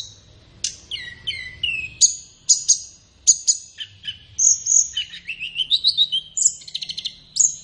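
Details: Flowerpecker singing as a tutor recording for keeping captive birds in song, best used in the morning or afternoon. Steep downslurred whistles give way to sharp high pips and a busy, rapid twittering close.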